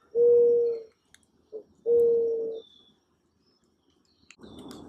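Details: Mourning dove giving soft, hollow, low coos: two steady level notes about a second apart, then a fainter breathy sound at the end.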